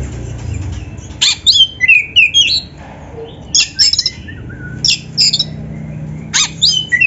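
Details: Lively song from a black-breasted oriental magpie-robin full of canary-like phrases: clusters of high twittering whistles and quick chips in bursts about every second, with a faint low hum behind.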